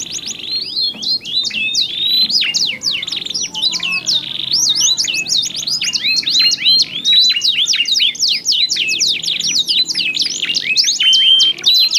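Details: Two domestic canaries overlapping in continuous song, voices of different colour, meant to draw other canaries into singing: dense tangled trills and sweeping whistles with no pause.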